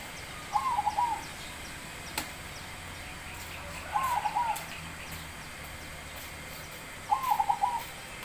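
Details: Zebra dove singing three short cooing phrases spaced about three seconds apart, trilled and stuttering, with sharp clicks, faint high chirps and rural background noise.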